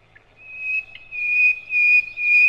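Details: Nightingale (sikatan londo) on a cage-bird master recording giving long, steady high whistled tones broken into about four drawn-out notes, with faint chirps between them.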